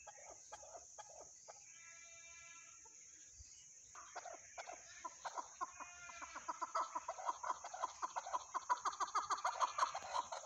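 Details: Chukar partridge calling: quiet, scattered clucks at first, then a fast run of harsh chuck notes that grows louder and quicker toward the end, about three per second, over a steady high hiss.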